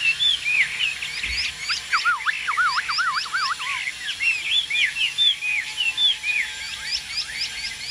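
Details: A caged Chinese hwamei, the bird on the right, sings a rich, fast run of varied whistles with a string of repeated swooping notes in the middle; a second bird may be singing too.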